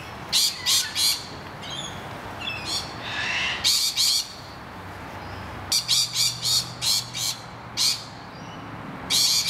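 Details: Harsh, rapid screeches from distressed rainbow lorikeets defending a nest hollow from noisy miners come in uneven groups, separated by softer, higher chirping calls from other birds and a faint low hum.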